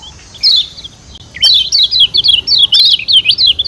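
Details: Lombok yellow white-eye (kecial kuning) call for rousing birds to sing: a single sharp chirp, a pause, then a fast burst of loud, wavering high chirps running continuously to the end.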